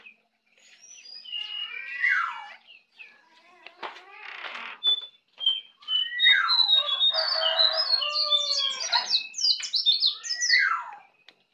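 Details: Practising the ngeplong song, a young white-eye from Bali pours out a long, busy run of high twittering notes mixed with falling whistles and brief harsher rasping passages.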